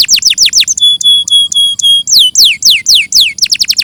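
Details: Canary in a clear training recording: a fast falling trill, then a string of pure, steady whistled notes, then loud down-slurred sweeping notes repeated in quick succession.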